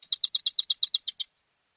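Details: Competition European goldfinch, raised at home, singing a brief, very high phrase of about a dozen evenly spaced tinkling notes that stops abruptly, then silence.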